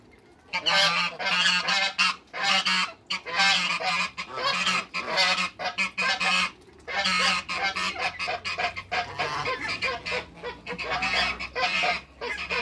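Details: Backyard flock of three African geese, two ganders and a goose, honking repeatedly in loud, raspy bursts; a low mechanical hum joins in the latter half.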